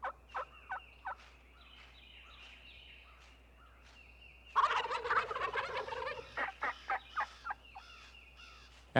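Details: Wild Turkey in spring, when toms gobble to attract hens: a loud, rapid, bubbling gobble bursts out midway, with short clucking yelps before it and a run of evenly spaced notes after.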